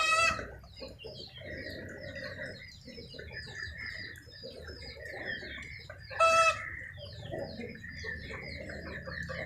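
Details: Chickens heard during rain: a loud, short harmonic squawk at the start and another about six seconds later, with soft clucking beneath a steady hiss of rainfall.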